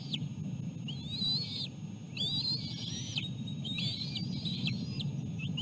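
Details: Bald eagle eaglets at feeding time, their mother delivering seal placenta after a lean day. Strained high whistles held about half a second each, falling off at the end, come in quick succession over a low steady hum.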